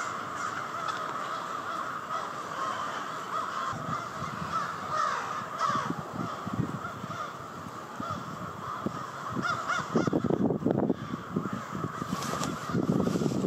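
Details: Crows massing at their nightly roost in Victoria Park, Charlottetown, Prince Edward Island; a continuous dense chorus of caws throughout, with bursts of low rumbling noise growing stronger toward the end.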